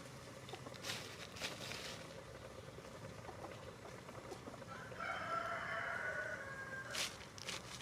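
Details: Rooster crowing in snowy cold weather among pecking hens and strutting roosters: soft scattered clucks and rustling at first, then a clear drawn-out crow of about two seconds, steady and slightly falling, ending in a short sharp noise.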